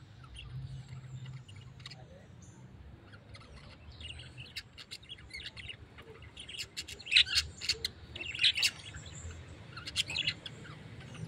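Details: Tame pet parrot giving short, high chirps and squeaky tweets, sparse at first, then a denser burst of sharp calls over the last few seconds, against a low steady background hum.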